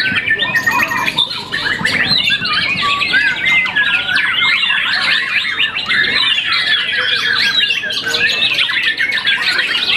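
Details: White-rumped shama, a young champion contest bird that has moulted once, pours out loud, continuous song: fast chattering phrases mixed with clear rising and falling whistles and quick trills.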